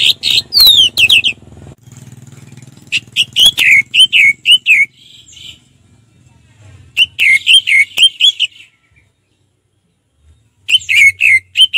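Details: Relaxed ngeplong singing of an orange-headed thrush. Three bursts of rapid, loud whistled and chattering notes, some sliding downward, separated by pauses and a silent stretch, with low hum underneath.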